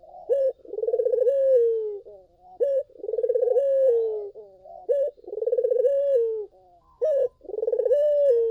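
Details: Collared dove singing as a lure for other doves: repeated phrases of a throbbing, rolling low coo that flattens into a long descending moan, each ending with a brief higher clipped note, about four phrases in succession.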